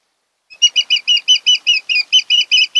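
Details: An osprey at a nest on Kent Island, Maryland, on 26 August 2018 around 4–5 a.m., gives a quick run of about a dozen high, piercing whistled chirps, roughly five each second, steady in pitch.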